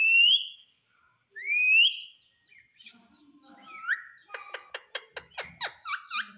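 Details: Green talking parrot giving two clear rising whistles, a softer falling note, then a quick series of short harsh clicks and squawks in an even rhythm.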